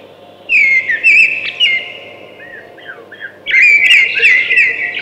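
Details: Thrush song made of sustained whistled notes woven with rapid warbles, one phrase early and a louder one after a short lull.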